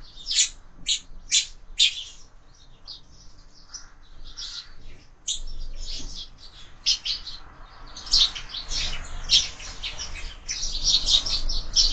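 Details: Sparrows at a year-round window feeder at breakfast; a few loud separate chirps open, then softer scattered twittering, building again into dense, overlapping chattering near the end.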